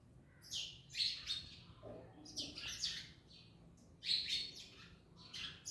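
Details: Parrots at an orange make harsh chattering screeches in bursts, with a soft lower murmur partway through.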